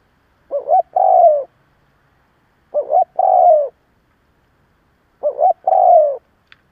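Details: Lure spotted dove cooing to provoke rival doves: three identical low phrases, a quick two-note hoot then a long, slightly descending coo, repeated every two and a half seconds in quiet surroundings.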